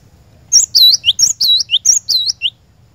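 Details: Cinereous tit (glatik batu) song meant to draw caged birds into continuous singing: one rapid two-second string of piercing high whistles, each a quick upward note then a dipping loop, repeated about five times.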